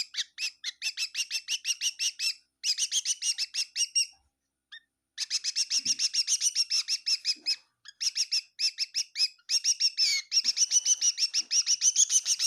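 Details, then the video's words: Kitchen bird at Tseminyu, Kohima, calling in quick bursts of sharp repeated chirps, about three per second, separated by gaps of one to two seconds. "Amazing bird in my kitchen chirping bird sounds of bird"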